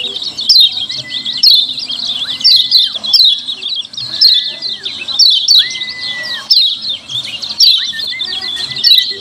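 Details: Noisy 'ciak ciak' chatter of a lemon-bellied white-eye, played as a lure to draw replies: continuous high squeaky chirps pulsing about once a second, with a long steady whistled tone that swoops up, holds, then drops, repeated several times.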